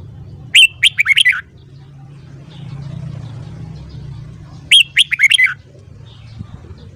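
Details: Morning song of a red-whiskered bulbul for voice training: two loud phrases of rapid, clear whistled notes about four seconds apart, over a soft low background hum.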